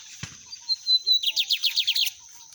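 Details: Wild lined seedeater giving a torneado-style song in nature: a brief click, a clear high whistled note, then a rapid series of about nine bright, buzzy repeated notes, with a constant high insect drone behind.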